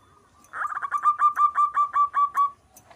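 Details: Local zebra dove in full song, delivering a quick run of about a dozen evenly spaced, clipped cooing notes at a steady mid pitch, accelerating slightly before stopping abruptly; the background is quiet.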